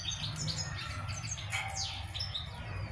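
European goldfinch giving quick, bright tinkling twitters and chirps in rapid bursts, set over a steady low hum.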